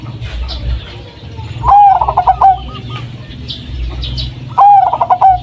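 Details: Local Blorok Madu zebra dove, a striped wild-type bird used to lure doves kept at home; two loud, bubbling trilled coo phrases about three seconds apart, over a low background hum.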